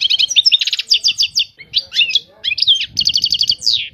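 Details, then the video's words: Continuous European goldfinch song of dense bright twittering, mixing rapid trills and twisting slurred notes, ending with a fast repeated trill and a falling note; low background rumble underneath. "طائر الحسون. اجمل الطيور المغردة Goldfinch. The most beautiful songbirds"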